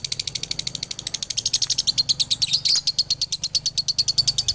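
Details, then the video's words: Dobelan song of a male Galendo lovebird from Ciamis. A rapid, steady stream of piercing high chirps is broken once by a louder, rougher squeak before the quick beat resumes. "SUARA ASLI DOBELAN LOVEBIRD JANTAN"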